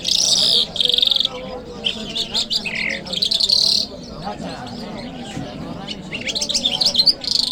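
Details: Jal Mashhadi lark from Kabul city, heard on a Friday morning: harsh buzzy blocks and a dropping note at first, then a lull, then rapid high chattering trills that grow denser near the end.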